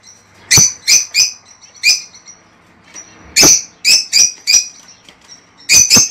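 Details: Lovebirds in a cage giving calls meant for mating and breeding: clusters of sharp shrill chirps, three or four in quick succession, separated by short quiet gaps.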